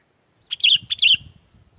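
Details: Sooty-headed bulbul singing, used to prompt wild bulbuls to answer: two short phrases of a crisp note and a warbled whistle, with faint low thumping beneath.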